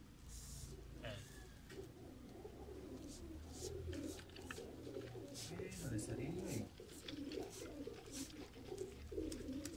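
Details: Captive pigeons that have been coloured with paint coo in rolling low murmurs, phrase after phrase throughout, while people talk nearby and scattered clicks and rustles sound indoors.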